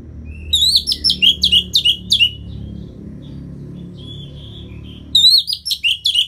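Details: A captive orange-headed thrush sings loud, rich phrases of sweeping, slurred notes in quick bursts, with a softer warble between phrases and a low indoor hum; the recording is meant to spur lazy birds into singing.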